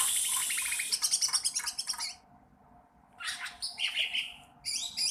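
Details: Young sooty-headed bulbul practising song, giving rapid high, scratchy chirps for two seconds, falling silent, then returning with buzzy bursts and a brief whistled phrase.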